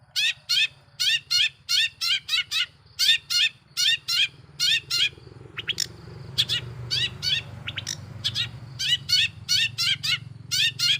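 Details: Lure song of a long-tailed shrike to provoke other shrikes, made of harsh buzzy grouped notes repeated steadily, with low background rumble throughout.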